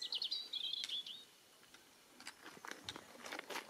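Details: European robin: a short, thin, high warbled phrase of quick whistled notes in the first second, followed by scattered dry clicks and patter sounds.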